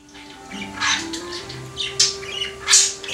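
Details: Male household budgerigar courting a female household finch indoors, offering kisses; scratchy warbled chatter in short bright bursts with sharp squeaky peaks, over a steady low electrical hum in a small room.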